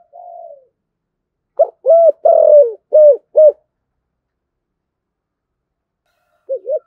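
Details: Spotted dove giving a soft, low cooing phrase of several hollow notes in quick succession, a call played to stir other doves into cooing.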